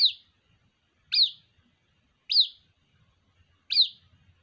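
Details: A white-breasted waterhen chick summons its mother with four shrill, downward-slurred peeps spaced about 1.2 seconds apart against near silence.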